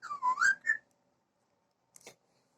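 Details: Parrot giving a clear whistled phrase that dips and then rises in a wavering glide, followed by a short gap and a brief faint, noisy burst.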